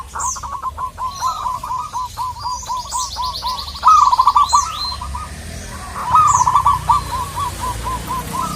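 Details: Local zebra dove calling out to a rival, delivering rolling strings of short cooing notes, with louder, buzzier trills near four and six seconds and thin chirps of other birds overhead.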